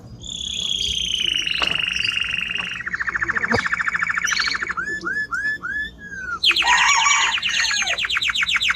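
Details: Strong-singing male timbrado canary: a long high whistled note, then fast rolling trills, a series of looping upslurred notes, and a loud buzzy rattling trill to finish.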